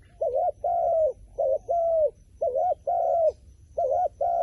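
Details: Rhythmic low cooing by a wild pigeon, a clipped double note followed by a longer smooth coo, repeated four times with even gaps.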